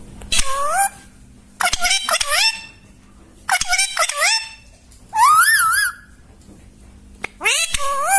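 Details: Young Alexandrine parakeet calling in short bursts of rough, rising squawks separated by pauses of about a second, with a low hum in the background.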